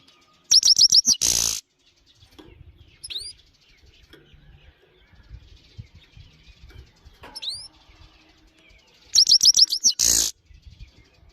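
A goldfinch sings two short bursts of fast, high, tinkling twitter, with a couple of thin rising whistles between them and brief rustling noises.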